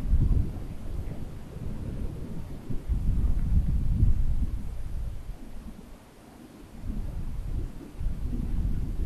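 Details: Gusting wind buffets the microphone and rustles foliage near a Long-eared Owl nest in May, with no animal calls.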